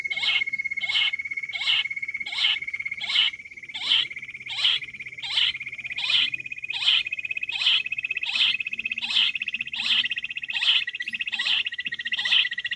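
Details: Wild quail, recorded for hunting, delivering loud buzzy bursts repeated about every 0.7 seconds, over a continuous high pulsing trill that runs beneath the whole sequence.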